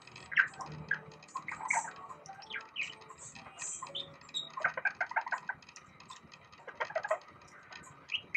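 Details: Six-year-old pet budgerigar indoors, a singer that mimics the Light-vented Bulbul. Continuous soft chattering warble of mixed clicks, ticks and short whistled notes, rising and falling in loudness.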